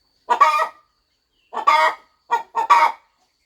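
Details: Hen brooding on her farm nest ahead of hatching, giving three groups of hoarse, drawn-out clucks about a second apart, the last group a double note.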